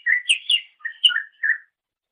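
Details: Short phrase from a greater green leafbird master recording for songbird training: several rich, slurred whistled notes in quick succession, some with high overtones, then silence.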